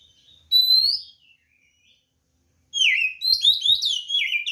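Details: White-rumped shama fight song used as a provoking lure: one rising clear whistle, a pause, then a loud rush of tumbling, varied whistled notes.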